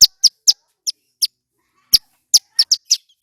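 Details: Male Bar-winged prinia singing loudly and clearly. Scattered high, sharp notes give way to a pause, then a tighter cluster of quick notes.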